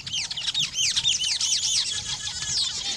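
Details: Loud, busy chattering of weaver birds while building nests: many rapid, high arching notes tumble over one another without pause, a shrill continuous colony sound.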